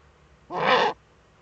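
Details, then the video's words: Eurasian eagle-owl female at her breeding niche in northern Rhineland-Pfalz, Germany, on a 5 May 2013 nest camera, scratching about: a single rough, hissing-barking call lasting under half a second over quiet background. "Uhu-Weibchen scharrt in Brutnische"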